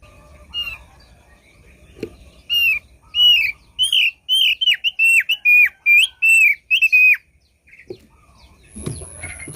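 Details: Lure song of the thick-billed white-eye: a fast run of bright whistled notes dipping and rising, about a dozen in four seconds, between soft background knocks and rustling.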